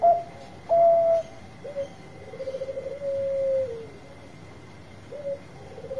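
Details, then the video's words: Singing Bangkok zebra dove, played to stimulate quiet birds: loud clear coos, a fast stuttering series of pulses leading into a sustained low coo that slides down, then softer repeated coos, with a faint steady hum. "Suara Besar Perkutut Bangkok Gacor Obat Pancinga yang lagi Males Bunyi"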